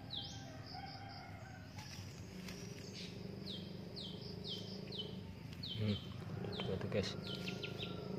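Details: Young drongos with their parents in the wild, being fed: a steady series of short, high, down-slurred chirps repeated about once a second, over low rural background hum, with a faint human voice.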